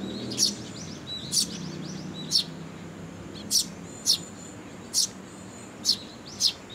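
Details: Fledgling sparrows coming to be fed by parent birds at a Tenmangu shrine, July 2022: loud, piercing chirps roughly once a second with softer trailing notes between, over a low background rumble.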